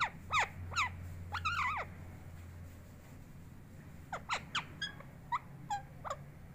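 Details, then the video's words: Pet parrot said to talk gives loud, wavering squawks that bend down in pitch, then quieter, clipped chirps spaced about every third of a second. A low hum runs throughout. "तोता कैसे बोलता है।"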